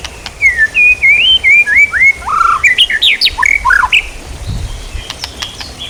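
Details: White-rumped shama song used as training material for songbirds: a rapid run of clear, slurred whistles, each note rising or falling, then sharper, more varied phrases, ending in a few sharp clicks against a quiet background hiss.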